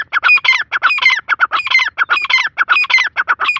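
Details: Black francolin calling loudly and continuously, harsh grating squawky phrases of several clipped notes repeated rhythmically about every half second, with no other clear sounds.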